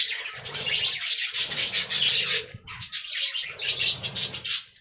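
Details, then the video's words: Many budgies in an aviary warbling in rapid pulsed chatter, quick buzzy notes repeated several times a second with low rustling beneath, broken by one brief pause midway. "Budgie Talking Compilation"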